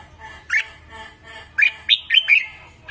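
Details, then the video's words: Red-whiskered bulbul used as a training lure, giving a quick run of four or five sharp, lilting warbled notes after a single note, over a muffled background murmur. "Luyện Giọng Chào Mào Mới Nhất"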